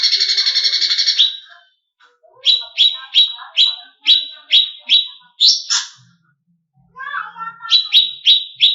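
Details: Greater green leafbird, recorded as a master song to stir up contest birds: a buzzy rattle fades, then a run of sharp falling chips, a harsher slurred note, a lower warbled phrase, and more chips.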